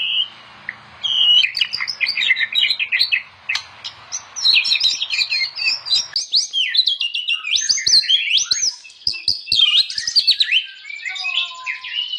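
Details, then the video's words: White-rumped shama (murai batu) in loud, energetic song, a compilation recording meant as a master for training other shamas: dense rapid run of sharp chirps, trills and whistled notes packed high, continuous for twelve seconds. "KOMPILASI MURAI BATU - KUMPULAN BEBERAPA SUARA OCEHAN BURUNG MURAI BATU GACOR UNTUK MASTERAN MURAI"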